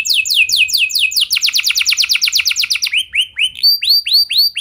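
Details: Canary song intended to train other canaries: falling swept notes, a fast rolling trill, then slower, looping rising-and-falling whistles.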